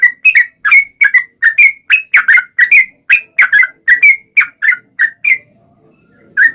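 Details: Trucukan singing a long, energetic song meant to lure other trucukan into answering: loud, even series of bubbly whistled notes about three per second, then a pause and one closing note.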